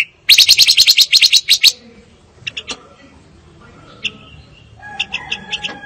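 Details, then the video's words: Fire-tailed myzornis: an opening rapid trill of bright, evenly spaced notes for about a second and a half, followed by sparse, softer chips and short tones. "Kicau Burung Pancawarna Paling Dicari - Tiếng chim ngũ sắc"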